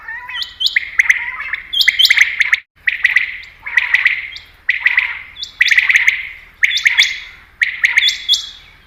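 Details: Batair, or common quail, calling in a recording meant to attract quail for hunting: rhythmic bursts of quick clipped notes about once a second, with thin high whistles at their start.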